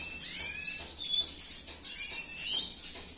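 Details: Male Venezuelan siskin, cinnamon mutation, kept in captivity, pours out a fast, high, scratchy twittering warble with thin whistled slides, steady and unbroken throughout.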